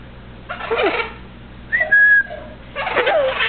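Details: Pet male Eleonora cockatoo in a small room, whistling: a steady, pure whistled tone held for about half a second, between rough, raspy talking-like bursts, with a person speaking.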